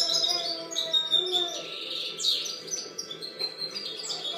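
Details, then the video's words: Goldfinch song recorded in 2013: sweet high twittering with clipped chirps and a few louder sweeping notes, delivered in uneven bursts, a steady faint hum beneath. "Chant chardonneret"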